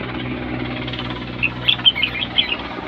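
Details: Red-whiskered bulbul singing in competition (siêng ché): after a noisy start, a quick burst of sharp whistled chirps, several rising and falling notes in close succession, over a constant low rumble.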